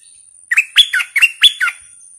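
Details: Fierce captive bulbul kept as a decoy bird, recorded July 2021: a loud, quick phrase of five sharp, bright notes. Each note slurs up and down in a clear whistled chirp, delivered in about one second over a quiet background.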